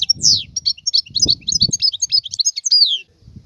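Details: Wild European goldfinch singing a fast twittering run of bright chirps, buzzy notes and falling slurred whistles, ending with a downward sweep, over faint low rumbling.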